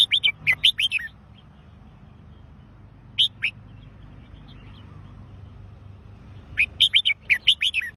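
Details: Red-whiskered bulbul delivering a rapid run of chirpy whistled notes, then a brief two-note fragment, then another lively burst of warbling after a pause, with a soft steady hum underneath.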